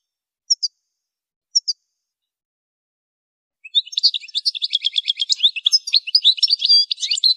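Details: Two brief high double chirps from a European goldfinch, then, after a pause, a fast, continuous, high-pitched twittering song of liquid notes and trills, as used for songbird training.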